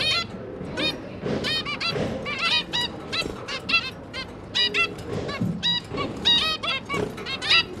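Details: A zebra finch pair and their three juvenile young, with the parents busy feeding them, call constantly in overlapping bursts of short, nasal, toy-trumpet beeps, several per second, with a faint low hum behind.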